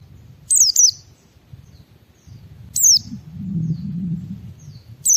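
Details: Ngalas-style white-eye song aimed at making other white-eyes sing along: a pair of high downslurred whistles, a single one about two seconds later and another at the end, with a low rumbling murmur between.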